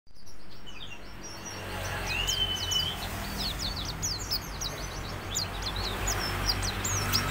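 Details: A white-eye sings a lively, fast, high twittering song of thin chirps and short whistles, used as a lure to get other birds singing, over a steady low hum of background noise.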